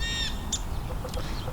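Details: During a winter Christmas Bird Count, among many house sparrows, a Blue Jay gives one harsh, ringing squawk followed by a few fainter calls over a steady low rumble of wind or traffic.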